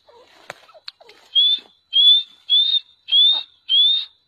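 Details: Black francolin of the Sindhi type, praised as beautiful and quick, repeating five bright rising whistles at an even pace after a few faint clicks and soft low chirps.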